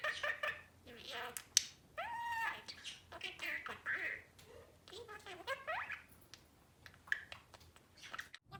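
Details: Male albino budgerigar kept as a pet, mimicking human speech: scratchy, high-pitched word-like phrases with sliding warbles and brief gaps, some louder clipped syllables, indoors.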